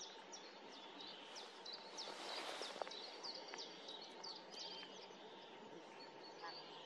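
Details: At Tranholen in 2024, a common snipe gives quick, high, ticking notes, about three a second and somewhat irregular, with a brief louder noisy patch in the middle and constant hum beneath.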